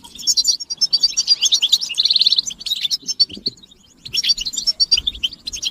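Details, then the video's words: Mating and readiness chirps of European goldfinches, played to rouse males from silence: jingling twitters, then a tight buzzy trill, a near-quiet gap of about a second, and more twittering. "بتبتة الحسون تحفيز الحسون على التغريد والهيجان علاج صمت الحسون goldfinch stimulation"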